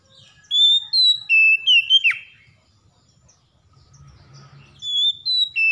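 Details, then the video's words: Stressed Oriental magpie-robin, reluctant to sing but provoked into singing: loud clear whistled phrases of level notes stepping between high and mid pitch, one ending in a sharp downward sweep, then a pause and a second phrase. "KACER SETRES MALAS BUNYI TERPANCING LANGSUNG GACOR"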